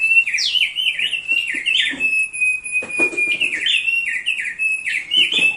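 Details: Song of a thick-billed heleia, gacor and suited as a master for training: lively clustered whistles in stepped, looping phrases, a sustained thin tone between bursts, and faint clicks in the background.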